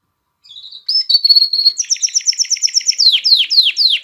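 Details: An excited male canary sings to ready females for mating. After a quiet lead-in comes a steady whistled note, then a rapid rolling trill, then loud, repeated, falling sweeps about four per second.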